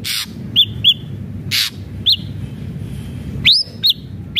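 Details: Ashy drongo, played to stimulate a captive bird to sing: short bright whistled notes, each a quick rising then falling slur, given singly or in pairs at irregular gaps, with bursts of broadband noise and a low rumble beneath.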